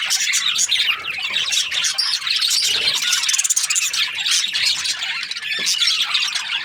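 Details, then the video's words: Australian budgies chirping in a crowd, bright twittering and squeaks tumbling over each other, with a brief deeper sound around the middle. "Australian budgies chirping sound"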